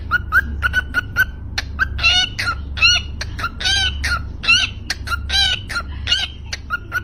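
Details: Cockatiel, apparently racing, giving bright, rapid chirps and warbled whistles, with a steady low hum underneath.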